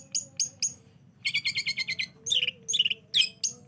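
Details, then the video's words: Long-tailed shrike lure for coaxing silent birds into song: three high chips, then a fast buzzy chatter series and several scratchy downslurred squeaks, all over a steady low electrical hum. "Pancingan Cendet Malas Bunyi Sekali Putar langsung Respon"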